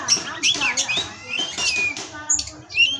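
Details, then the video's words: Oriental magpie-robin (kacer) from an Indonesian captive breeding farm, a 'pastol' tutoring song: short clear whistles mixed with scratchy, rasping notes and rising slurs, delivered in quick bursts with brief gaps. "Masteran Pastol Kacer"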